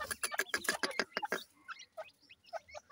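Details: Black francolin chicks fighting in a house: a loud burst of rapid scratchy clicks, then scattered thin high peeps rising and falling.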